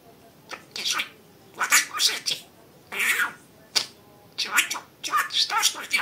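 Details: Domestic budgerigar imitating speech in scratchy, thin, high-pitched word-like bursts, spaced by short silences and ending in a quicker string of chattered syllables.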